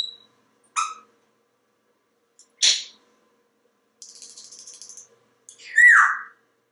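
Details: Male pet African grey parrot indoors in a Texas home, mimicking sounds and talking. A short pure whistle, a harmonic chirp, a hissy burst, then a rapid rattling trill, ending in a loud descending speech-like squawk.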